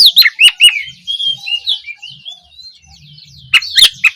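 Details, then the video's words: Oriental magpie-robin opening song as a lesson for young birds to answer: bright slurred whistles at the start, then a long, quieter run of twittering notes, ending in harsh chirps. "Awalan suara Kacer bahan belajar gacor, cocok untuk memancing Kacer trotolan agar lekas nyaut gacor"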